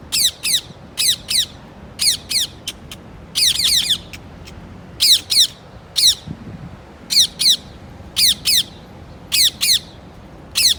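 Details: Repeated bright harsh squawks from a parrot, mostly in pairs and triplets, recurring roughly every second over eleven seconds with a faint low murmur underneath.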